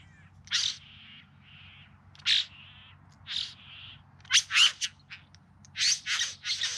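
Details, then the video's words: Courting bowerbird in the Yarra Valley near Melbourne, September 2020, singing and dancing; scattered scratchy bursts alternate with softer buzzy notes, then a closer cluster of loud rasping squawks near the end over quiet background. "Bowerbirds Singing and Dancing"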